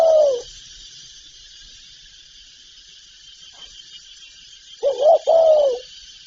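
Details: Spotted dove, one of a full set of calling, urging and cooing phrases: tail of one phrase, then after a long pause a low, hollow coo of a stuttered double note followed by a longer drawn note, over steady high hiss.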